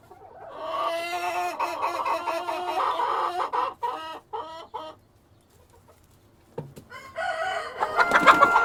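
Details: Hens and a cockerel: a run of quick, pulsed nasal clucks that breaks into short stuttering notes, a brief silence, then loud overlapping crowing and cackling at the end.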